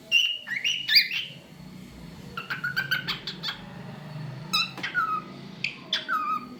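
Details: Whistling pet cockatiel, a talkative bird: a warbled opening phrase of clear notes, then rapid clicks and a run of level whistles, ending with several falling whistled notes.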